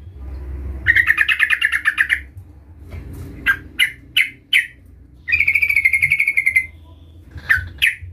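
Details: Yellow-vented bulbul in full voice, calling out a rival, used as a lure to prompt other bulbuls to answer: rapid chattering runs of bright notes alternate with separate sharp, rising single calls, over a low background hum.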